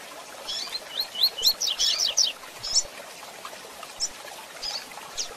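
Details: Rusty-collared seedeater in a tui tui zel zel training recording with female chirps: a quick run of high buzzy slurred notes around one to two seconds, followed by scattered single chirps against faint background hiss.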